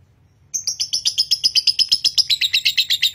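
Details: Konslet lovebird from a Nganjuk breeder bursts into long continuous singing after a short silence: bright, piercing chirps repeated quickly and evenly, roughly four each second, with a slight downward drift in pitch.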